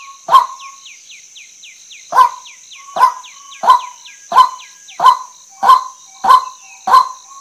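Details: Female white-breasted waterhen, a call said to bring waterhens in fast: one harsh croaking note, a pause of nearly two seconds, then eight more evenly spaced honks, with a steady high insect drone and short falling whistles behind.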